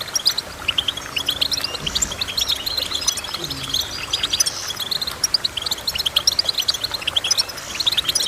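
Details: Busy, high goldfinch twittering with rapid chirps and buzzy trills in repeated bursts, over faint low sounds.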